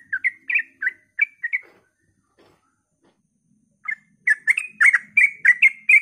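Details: Sooty-headed bulbul at dawn in ropel style, meant to spur other bulbuls into song. Quick bubbly notes break off for about two seconds, then resume in a denser, louder burst.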